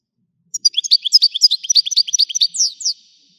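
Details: European goldfinch, widani song style, delivering one continuous fast twittering phrase of some twenty crisp chirps, closing with two downslurred whistled notes.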